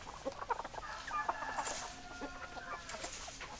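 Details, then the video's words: Hens clucking, quick staccato clucks mixed with a few longer wavering tonal calls, several birds calling at once against faint background noise. "Chicken Sounds Noises Hens Clucking Roosters Crowing"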